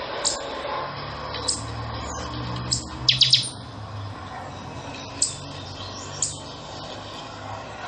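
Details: Buffy-fronted seedeater (pixoxó) chanchão song: sharp high chips spaced roughly one second apart, broken by a quick bright cluster of three notes, over a low droning hum.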